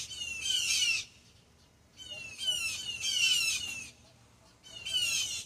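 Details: Blue jays in a backyard sound the alarm at a hawk, giving harsh, noisy squawks in bursts of about a second, four bursts over five seconds, separated by near silence.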